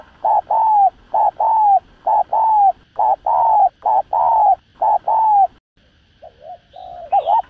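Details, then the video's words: A spotted dove gives low, mellow coos in quick paired phrases, each note swelling then dropping, about once a second. A few softer, quieter coos follow at the end. "Tiếng Chim Cu Gáy Thúc Gù Cực Sung"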